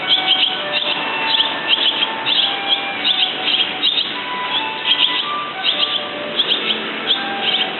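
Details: Barn swallows (Hirundo rustica) twitter in a busy stream of quick, high chirps and squeaky notes that run on without pause, with faint lower whistled tones beneath.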